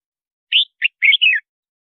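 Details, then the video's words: A loud, clear red-whiskered bulbul phrase of four bright whistled notes, the last ones running together and sliding down; song used for calling wild birds and training the voice. Background silent. "Tiếng Chào Mào Hót Gọi Bổi"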